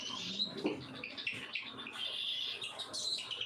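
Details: Cockatiels at feeding time give scratchy, buzzy calls in short overlapping bursts. A longer harsh call comes near the middle.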